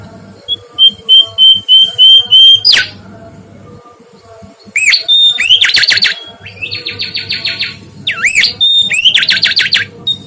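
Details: Mangrove whistler singing energetically: six or seven evenly spaced clear whistles, a steep downward slur, silence, then loud repeated upswept notes, a rapid buzzy trill and further looping whistled phrases.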